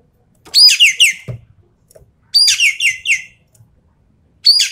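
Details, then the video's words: Javan pied starling singing the 'tembakan' shooting style meant to test champion songbirds: loud grating phrases of quick descending rasps come in three bursts roughly every two seconds, with silence between. "BURUNG EKEK KELING SUARA FULL TEMBAKAN COCOK BUAT TEST MENTAL BURUNG JUARA"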